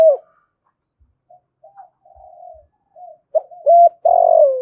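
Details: Spotted dove used as a lure bird, calling to attract wild doves; faint, broken low coos lead into a loud, hoarse, slightly falling cooing phrase near the end.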